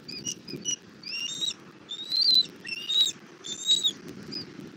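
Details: Bald eagle mother bringing food to her chick in southwest Florida, 17:30 on 1 April 2024: softer, thin high whistles and chittering notes in quick clusters, over a faint low wind hiss.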